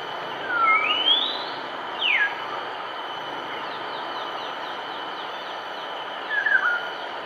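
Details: Black baza at Bidadari Woodland, Singapore, on 21 March 2016, giving thin sliding whistles: a long rising note, a quick falling one, then a short falling note, over steady hiss and droning insects.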